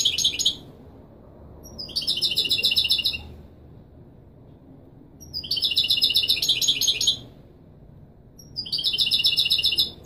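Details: European goldfinch of the Kobriya type singing authentic Moroccan Marrakchi Wedani-style song, played to tutor young birds: bright, rapid twittering phrases of about two seconds, repeated after short silences.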